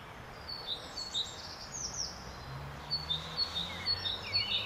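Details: Great tit in spring giving short, high chirping notes, several in quick succession, over other faint bird twitter and a low distant hum.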